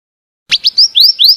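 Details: Female scarlet minivet giving a quick series of five sweet upslurred whistles, each sliding upward, the later notes longer and more drawn out, with no other sound.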